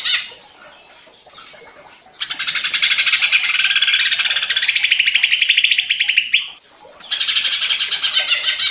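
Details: Greater green leafbird provoked into excited, agitated singing: after a quiet start, a long dense stream of rapid buzzy chattering notes gradually rising, a short gap, then another fast twittering burst.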